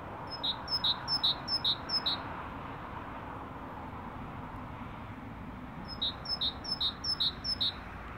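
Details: Great tit song in two bursts of about five paired notes, a high squeaky note then a ringing lower whistle, with a pause of several seconds between bursts and faint background hiss.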